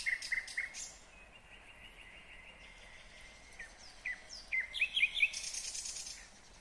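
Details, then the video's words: ['Nightingale song recorded in Kyrgyzstan, 2020: quick chirped notes, a long thin sustained whistle, then a cluster of sharp rising whistles and trills, with constant faint hiss behind.'] "Незабываемое Пение соловья / Chill out Nightingale Singing / Булбул уну / Булбул овози"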